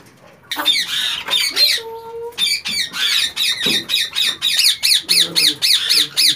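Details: Indian ringneck parakeets in a captive breeding colony with chicks and a breeder pair, 2019: harsh, rasping squawks repeated rapidly, about four per second, in steady pulses, with brief human voices heard indoors.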